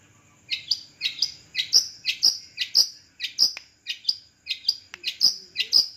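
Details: Long-tailed shrike on a perch delivering a series of loud, ringing, downslurred notes roughly twice a second, each sharp at the start and trailing off, with faint background noise.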